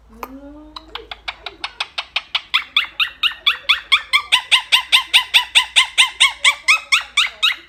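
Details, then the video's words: Blue Quaker parrot chattering to its companions: after a few soft low notes, loud harsh arched squawks repeat about twice a second, steady and building in strength through the clip. "Blue Quaker Parrot Love Talking to its Friends"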